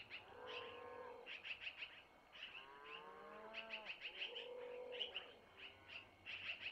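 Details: Long-eared owl young calling at the nest in Missoula while being fed by the mother after she takes prey from the male: repeated bursts of thin, high chirps, mixed with lower drawn-out harmonic tones.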